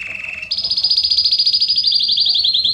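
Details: Belgian canary bursting into song, used to warm up a canary: a short low trill that leaps to a high, rapid, pulsing trill sustained and slowly falling in pitch.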